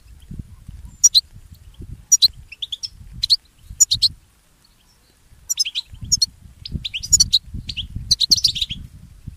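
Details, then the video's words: European goldfinch song used for training pet goldfinches: short bursts of high tinkling twitters roughly once a second, with a quiet pause midway and low rustling noise underneath. "Listen to Goldfinch's most famous motivations for training and education"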